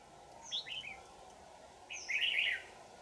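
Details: Red-whiskered bulbul, 'Lưng tôm' variety, caught on 4 January 2018 in Dak Lak, Vietnam: a short tumbling phrase, then a louder, longer bubbly warble after a pause of over a second. Thin high whistles accompany it.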